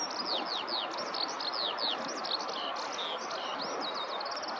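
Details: A skylark perched on the ground of a rice field pours out an unbroken run of quick, high, slurred twitters and trills, recorded up close on a handheld camera, with soft outdoor ambience beneath.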